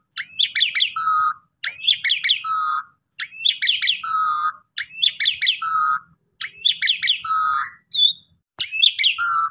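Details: Asian pied starling singing to stimulate other starlings, eight quick phrases of chattering, slurred notes each closed by a low buzzy tone, repeated steadily every second or so, with a faint low hum beneath.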